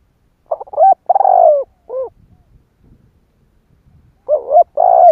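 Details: ["Cooing spotted dove, 'giọng thổ' style used to provoke rival doves to call: a clipped multi-note phrase with a long falling purr and a final rounded coo, then silence before the phrase begins again."]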